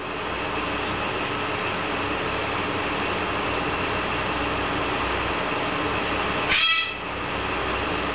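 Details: Steady rumble and clatter of a passing train, with a brief high squeal near the end; no animal heard.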